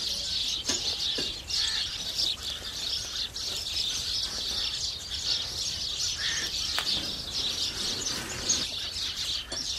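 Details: House sparrows feeding, a flock giving a dense, continuous chorus of overlapping high chirps and cheeps, busy and unbroken throughout, with occasional sharper single notes standing out.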